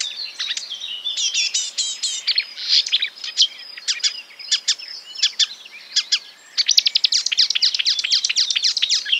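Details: Marsh warbler song imitating other birds, a hurried jumble of sharp clicks, chirps and brief trills, pausing briefly before a dense, rapid stream of ticking high notes.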